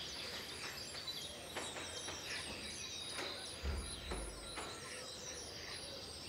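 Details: Western jackdaws calling at sunrise in spring 2020, short harsh broadband calls scattered irregularly over soft background hiss, with faint high chirps from other birds.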